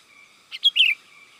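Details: Sooty-headed bulbul call used as a lure for wild bulbuls: a quick phrase of two sharp notes and a longer liquid, warbled slur, loud and clear, with a faint steady hum behind.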